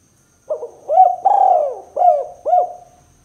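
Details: Spotted dove cooing as a lure for rival doves: a short stuttered note, an arched coo, a long rolling down-curving coo, then two more arched coos about half a second apart.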